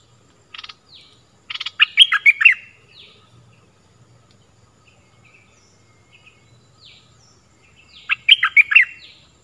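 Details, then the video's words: Stripe-throated bulbul lure song, used to train young birds and draw in wild birds: short buzzy note bursts leading into a loud warbled, whistled phrase, repeated after a long pause, with faint low hum beneath. "เสียงต่อนกดอกแตงEp.38 Birds sounds"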